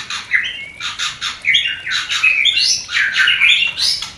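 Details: White-rumped shama mating call from a newly paired bird not yet producing, used to trigger breeding desire: rapid bursts of harsh, chattering notes mixed with rising whistled slurs in quick succession.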